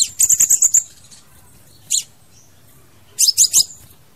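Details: A crimson sunbird sings, in a recording used to lure or trap birds: very high, thin, rapid twittering bursts, a quick run of six notes, a single note, then a closing burst of four.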